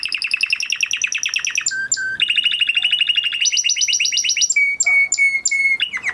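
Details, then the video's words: A crested Spanish Timbrado canary bred in 2020, singing a training song in fast rolling trills that shift pitch every second or so, broken by pure sustained whistles and metallic notes; nothing else heard. "Canary Singing Video"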